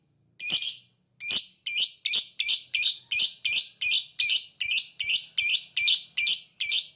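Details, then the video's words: Lovebird in ngetik ngekek chatter, played to spur other lovebirds into song: a steady string of fifteen rasping high notes, evenly repeated about three per second after a single opening note. "Lovebird ngetik ngekek bikin LB yang dengar langsung bunyi ngekek"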